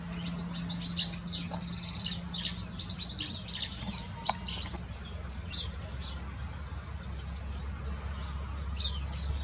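A serin–canary hybrid sings a fast, high, jingling twitter of tinkling notes for about five seconds, then falls silent with only a low hum remaining.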